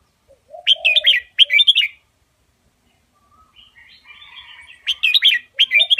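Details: Red-whiskered bulbul, Indonesian double-style master song played to teach young birds: bursts of bright, warbling, fluty phrases about half a second long, repeated after pauses, with softer lower chattering notes between.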